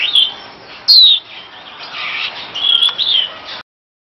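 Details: Superb starling, called Jalak Afrika, used as a master bird song: bright, sharp whistled phrases with quick falling slurs at the start, near one second and around three seconds, over a steady hiss, ending abruptly before four seconds.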